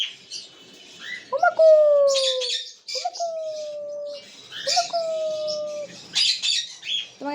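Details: Cockatiel giving three clear whistled calls, each sliding gently downward and lasting about a second, with short harsh chirps and scratchy squawks in between.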